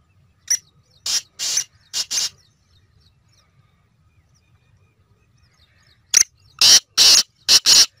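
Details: Black francolin calling: two loud, harsh grating phrases, each a sharp click followed by four rasping, broadband bursts, the second phrase about four seconds after the first, with quiet low rumble between.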